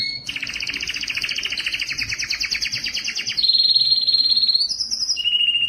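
A Spanish Timbrado canary sings a fast, rolling, metallic trill for about three seconds, then shifts into a steadier ringing tone and a brief higher phrase.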